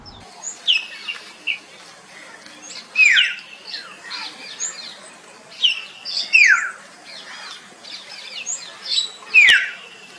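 Common hill myna giving loud, whistled calls that swoop downward, repeating about every three seconds, with softer chirps and squeaks in between.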